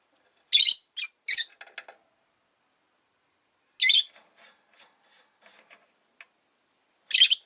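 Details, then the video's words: Loud raspy chirps of a pet rosy-faced lovebird arrive in spaced bursts: a rapid cluster of three harsh calls, softer ticking notes, a lone shriek mid-way and another at the end. "Lovebird Chirping Sounds"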